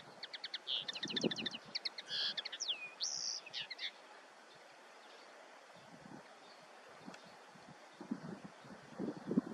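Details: Common linnet (Linaria cannabina) sings a quick four-second burst of bright twittering notes, trills and one swooping whistle, then falls silent over a low rumble of background noise.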